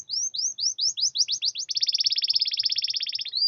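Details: Caged canary singing, used as a lure to prompt silent or reluctant canaries to sing: a series of rising whistled sweeps, then a fast trill of rapid repeated notes around four kilohertz, ending on a brief upward slur.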